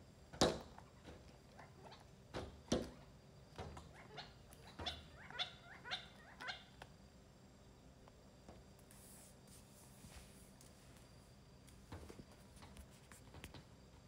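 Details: Wild quail near Phoenix pecking outside a patio door, heard from a living room and recorded on a phone: sharp, dry knocks in irregular bursts, about a dozen over the first seven seconds, then softer, scattered taps against quiet indoor hiss.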